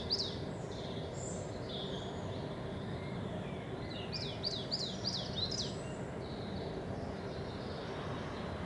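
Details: Spring song of a coal tit: a quick series of sharp, high see-saw double notes, about five in a row, after a few scattered calls. A low rumbling hum lies in the background, where great tits and chaffinches are also present.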